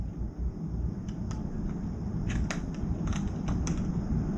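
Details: Steady low rumbling noise with scattered sharp clicks and taps, and no animal voice heard.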